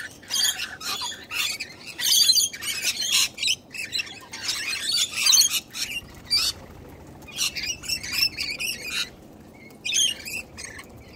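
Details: Young cockatoo, hungry and wanting food fast, gives loud grating rasps in clustered bursts separated by pauses of about a second, each squawk scratchy and noisy rather than tonal.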